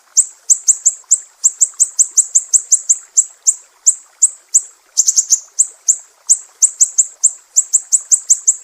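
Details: Besetan-style song of a mangrove whistler from Sumatra, recorded as a master for songbird training: steady stream of sharp, very high chips in quick runs of three to five notes with brief gaps.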